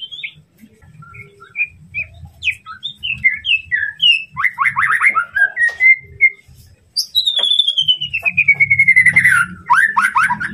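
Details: White-rumped shama tutor song meant to rouse a rival: short spaced whistled notes build into rapid chattering, then a long loud descending whistle with a rattling trill and more quick notes, over a low steady hum.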